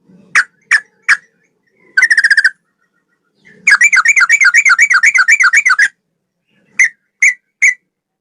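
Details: Male sooty-headed bulbul (trucukan) singing a long one-breath ropel: single sharp notes, then a rapid trill, a long run of fast rolling warbled notes near two seconds, and more single notes.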